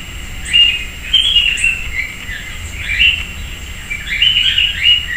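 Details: A sayaca tanager, a common urban bird, visiting a persimmon tree in a residential backyard in Piracicaba, São Paulo, Brazil, gives a run of thin, squeaky, twittering notes in quick bursts, about one or two a second, over a soft background hiss.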